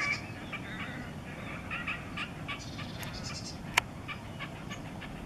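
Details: A red-necked grebe sings at Kissakoski, April 2020, giving a series of short, harsh, squealing pulses in an uneven rhythm, with a single sharp click midway and constant low water noise behind.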